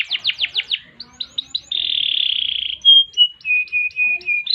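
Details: Canary song mixing phrases: five quick downslurred chirps, a few short notes, a long buzzy trill, a sharp whistle, then a run of brief flat chirps.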